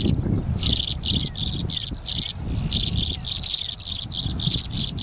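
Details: Migrant tree swallows competing for nest boxes at the Salmon Creek box grid give bright, liquid twittering chirps in quick bursts of four or five notes, nearly without pause, over a low rumble of wind.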